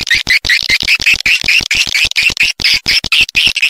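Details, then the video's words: Calling swiftlet sound intended to attract nesting birds, steady rhythmic twittering of short rising chirps repeated several times per second with a faint low ticking beneath. "Suara Panggil Burung Walet"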